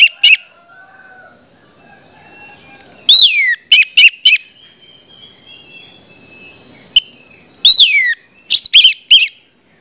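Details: Orange-headed thrush lure song prompting others to sing, given in scattered bursts of sharp whistled notes and slurred falling whistles with long quiet gaps and a constant high-pitched hiss.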